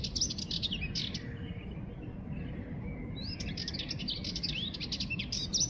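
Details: Sardinian warbler giving bursts of fast, rattling, scratchy notes with brief whistled upslurs, a short pause mid-phrase, then resuming the chattering song against constant low background rumble.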